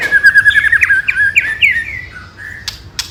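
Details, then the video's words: White-rumped shama song played to make rival birds react: a fast run of repeated whistled notes that climbs into looping phrases, then a few short clicks. "Pancingan Murai Paling Ampuh !! ketrekan kramat | 99.9% langsung ikut emosi ( shama bird fighter )"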